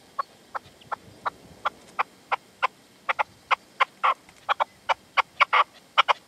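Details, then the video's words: Sunset in the Manzanares sierra, 27 February 2014: a partridge with a decoy (reclamo), the male staying away. Short, sharp notes repeat about every third of a second, speeding up and growing louder toward the end. "PERDIZ Y RECLAMO"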